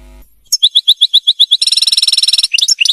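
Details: European goldfinch in captivity, from a series for teaching birds to sing. About ten evenly spaced, clear chirps come in quick succession, then a very fast rattling trill, then a few bright twittered notes.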